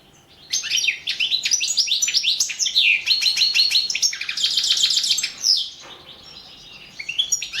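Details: Competition song of a European goldfinch entered in a 2017 online world championship: sustained fast twittering with sweeping high notes, rattling trills and brief buzzy passages, nearly continuous for seven seconds, a short pause near the end before resuming.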